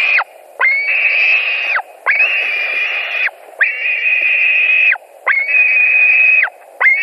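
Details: White-tailed eagles at a nest in Latvia, 17 July 2020 at 22:00, during a fish delivery: steady series of long, rasping whistled notes about a second each, repeated roughly every 1.5 seconds with downward-slurred endings.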